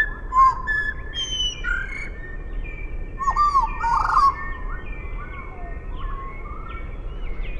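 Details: Half-speed Eurasian blackbird song, softer and more distant: a few mellow slurred whistles with faint high twitters, over thin sustained tones and a low background hiss.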